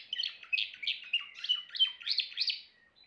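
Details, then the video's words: Timbrado canary song: quick, rippling trills and chattering metallic phrases delivered without pause, fading to a couple of soft, thin notes at the end. "meilleur chant canari l chant canari timbrado"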